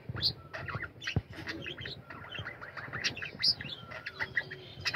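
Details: Budgerigars in a colony aviary chirping and warbling together, bright squeaky notes and short whistles tumbling over each other in lively chatter.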